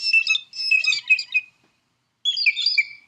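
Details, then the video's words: A blue jay mimics a red-shouldered hawk with a long burst of harsh, high squawking screams, a brief pause, then a shorter falling cry. The mimicry makes other birds flee so it need not share found food. "what that blue jay is doing is mimicking a red shouldered hawk"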